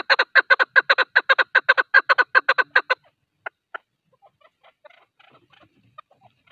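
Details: Male partridge call for hunters: a fast, regular series of clipped, grating clucks for three seconds, then a couple of isolated notes and faint scattered sounds in near silence.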